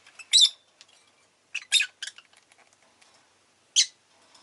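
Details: Rosy-faced lovebird uttering short, harsh chirps: one loud burst, a pair of rasping notes, then a single sharp squawk after a pause, with soft clicks between.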